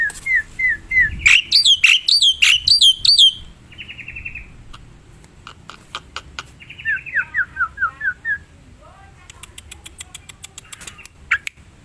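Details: Wild black-winged myna singing busily: bouncing whistled notes, loud arched buzzy phrases, a short trill, a descending series of slurred whistles, then scattered clicks.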